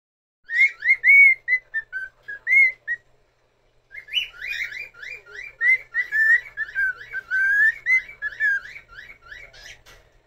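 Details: Cockatiel singing: a short run of clear, looping whistled notes, a pause, then a longer, busier warble of rising and falling whistles.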